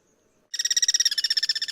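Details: Free-living guira cuckoos in cross-song within their natural habitat; after brief silence a loud, dense run of rapid grating pulses begins abruptly and carries on steadily to the end.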